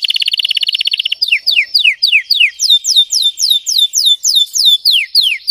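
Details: Red Belgian canary, deep and intense song for training: a fast rattling trill gives way to a series of clear, sharply descending slurred whistles repeated about four times a second.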